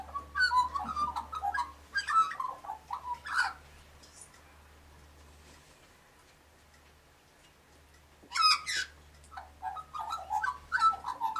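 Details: Australian magpie warbling beside pink galahs: bursts of jumbled fluting and chortling notes, a few sharp harsh accents, a quiet gap of several seconds, then more warbling, over a low hum.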